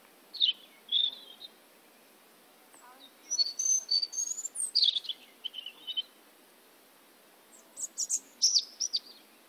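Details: European robin at Rača, Bratislava, Slovakia, singing thin, high, wavering phrases of sweet notes and trills, each short burst separated by pauses, over a quiet background.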